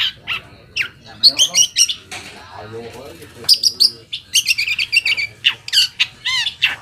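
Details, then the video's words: Long-tailed shrike lure song to provoke rivals into answering: varied scratchy chatter with thin high whistles and squeaks, some notes rising sharply, irregular rhythm, faint low hum behind. "PANCINGAN AMPUH BURUNG CENDET AGAR CEPAT GACOR - cendet manapun langsung nyaut dan emosi"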